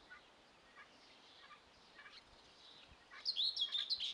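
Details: High thin peeps from young helmeted guineafowl arrive near the end after faint distant chirps, a quick series of four or five sharp, wavering notes over soft background noise.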